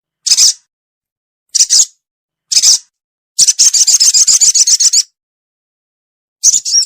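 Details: Ruby-cheeked sunbird lure for trapping: three sharp high chip notes about a second apart, a rapid dry trill of roughly a second and a half, then a single chip after a pause.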